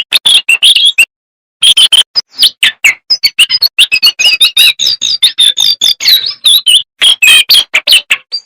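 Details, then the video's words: Small jongkangan songbird singing loudly with varied fill-in phrases: a quick chirp burst, a short pause, then a long stream of high, bending whistles and sharp notes packed closely together. "AUDIO MASTER BURUNG JONGKANGAN GACOR FULL ISIAN DAN TEMBAKAN MEWAH"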